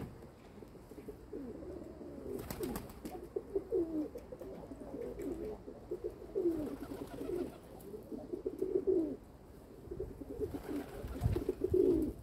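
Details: Domestic pigeons kept by their owner coo in long rolling phrases. Throaty, wavering notes swell and fade roughly every two seconds, with a sharp knock near the start and a low thud near the end.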